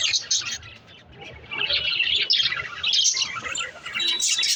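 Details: A mother budgie in her nest pot, heard among a flock's high, scratchy chirps and warbles; a quieter dip near the start, then a busy stream of chatter.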